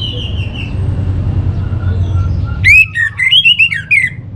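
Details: Orange-headed thrush, played to coax birds into song, giving a short phrase of quick rising and falling whistles after soft high faint notes and background rumble.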